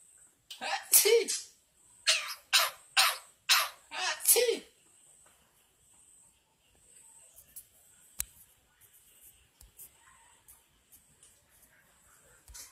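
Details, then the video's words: Javan myna imitating coughing and laughing: six harsh, noisy, cough-like bursts come in quick succession over the first five seconds. Quieter, scattered faint sounds follow, with one sharp click. "Jalak kebo kocak bisa batuk & Ketawa"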